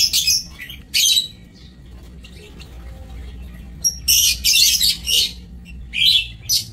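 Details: Lovebirds housed in an aviary, recorded 27 March 2024: two early bursts of piercing chatter, a quiet gap, then a fast string of shrill, harsh squawks and squeaks toward the end.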